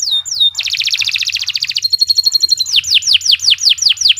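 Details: Canary song used as training material for other birds: a dense buzzy rattling trill, then a fast high trill of repeated notes, followed by a series of loud descending whistled sweeps about five per second.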